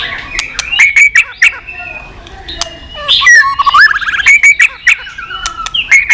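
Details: White-rumped shama giving continuous tchack clicks, a recording used to fire up low-spirited shamas; sharp dry clicks mixed with clear whistled notes and short rising slurs, then a fast trilled phrase midway.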